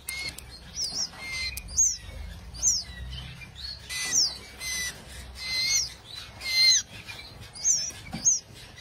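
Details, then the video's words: Canaries producing a series of high, slurred chirps, some overlapping with fainter lower whistles, separated by about a second, alongside scattered clicks and rustling. "Kanarienvögel | Canary Birds"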